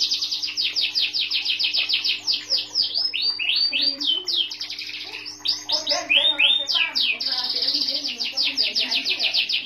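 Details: White canary in full song: fast, high, pulsing trills and sweeping slurred notes chained together without pause, with a faint steady hum underneath.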